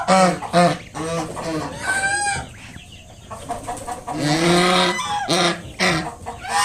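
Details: A mother swan guarding five freshly hatched cygnets honks at a person coming too close. Rapid, repeated nasal honks come in bursts, then a short lull, then another loud series.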